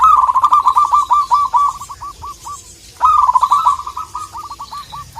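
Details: Local zebra dove calling to a rival: two cooing phrases, each opening with a rapid rolled burst, then slowing into a string of short, evenly spaced coo notes that fade out.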